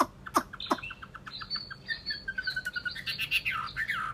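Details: Chinese hwamei, a kept cage bird, singing: a few sharp clicks lead into a fast series of short whistled notes, then a busy, warbling rush of varied phrases.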